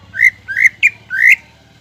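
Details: Greater green leafbird, a lure to raise the mood of untrained leafbirds so they sing: four drawn-out, slightly rising whistles with one sharper note among them, steady low hum beneath.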